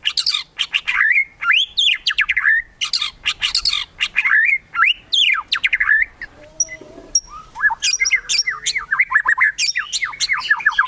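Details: Kretekan song of a white-rumped shama, intended to provoke rivals: harsh, rasping bursts alternate with arching slurred whistles and rapid chattering runs, with a quieter stretch of thin high notes midway.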